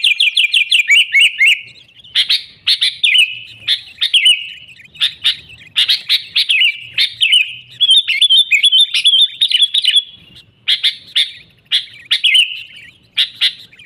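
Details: Lively song of a sooty-headed bulbul, used to lure wild bulbuls; fast descending rattle of notes opens, followed by repeated short buzzy-chirpy bursts and warbles roughly every half second, faint low rumble underneath.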